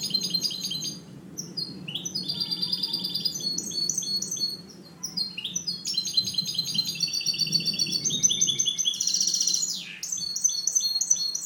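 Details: Caged goldfinch hybrid, one of three being trained, singing a loud continuous clean song of fast tinkling trills, buzzy rolls and descending twitters with barely any pauses.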